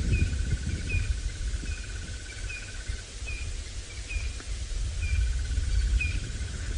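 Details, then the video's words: A Crested Barbet calls in the distance during a quiet sunrise safari drive, about 7:00 AM on 21 October 2017 at Djuma, Sabi Sand, South Africa: a long, even rattling trill over short repeated chirps, low engine rumble and wind. "crested barbet calling in the distance too."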